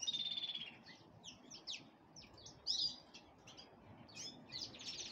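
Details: Black-headed canary, nominate subspecies, singing while preparing for breeding: a steady high whistle opens, then rapid scratchy twitters and sharp chirps in quick bursts, ending in a dense buzzy trill; quiet recording.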